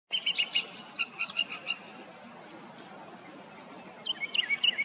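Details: A Northern mockingbird sings bright, high phrases of quick chirps and whistles, each repeated a few times before switching, then pauses and starts a new varied series.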